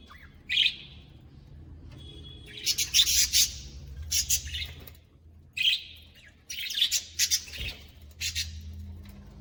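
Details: Caged colony of budgerigars chirping: bright, scratchy bursts of chattering calls repeated in clusters about every second or two, separated by short quiet gaps, over a faint low hum.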